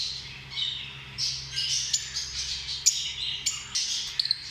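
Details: Lovebirds giving a dense stream of shrill, high squawks and chirps, several overlapping bursts with sharp peaks near the end and a steady low hum beneath.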